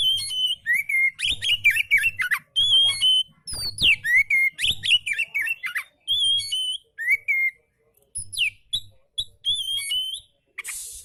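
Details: Oriental magpie-robin in a relaxed song, used to train and stimulate magpie-robins that are reluctant to sing: rapid clear whistled phrases, rising and falling slurred notes with sharp chips, in bursts separated by short pauses, with a faint low hum.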